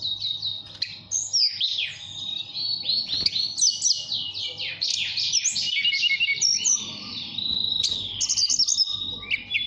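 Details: Caged mountain tailorbird from Purworejo, Central Java, singing in the whistled nyuling style to call a female: a dense, unbroken run of high, sliding, flute-like notes and rapid trills, with a faint low hum underneath.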